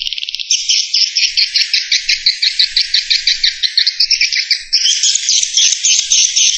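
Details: Swiftlet lure sound of the "Escape" style, used to attract swiftlets: dense, rapid, high twittering chirps in a continuous, slightly rhythmic chatter with no pauses.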